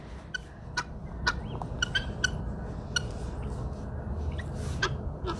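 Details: Free-roaming helmeted guineafowl in a sunny zoo park give harsh, scratchy single notes scattered irregularly, about one or two per second, over a low rumble of background noise and a keeper talking.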